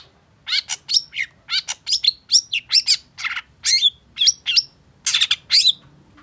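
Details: Long-tailed shrike singing an energetic song, used to stimulate a bird that has stopped singing: rapid series of harsh, chattering and whistled notes, some rising sharply, packed closely over several seconds with brief gaps.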